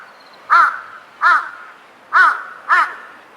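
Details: Large-billed crow calling in a park visited for cherry-blossom viewing on April 26; four loud, harsh caws, each short and rasping with a downward-arched harmonic stack, spaced roughly a second apart against a quiet background.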